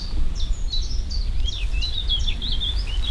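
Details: Sand martin on heathland on the Landes de Locarn trail in Brittany, giving a dry, scratchy twitter of quick high chirps strung together without pause, over a steady low rumble of wind.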